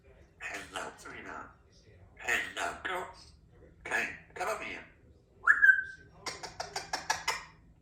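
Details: Chatty three-year-old female Congo African grey parrot kept as a pet in a country home, indoors: bursts of speech-like mimicked phrases, then a clear whistle that rises and holds steady, followed by a quick run of clipped syllables.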